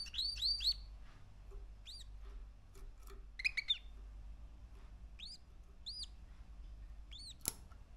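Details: Three-month-old male canary singing: short, high, arched whistled notes, a quick run of three opening the clip, then scattered single notes and pairs with pauses between, one sharp click near the end, over a faint low hum.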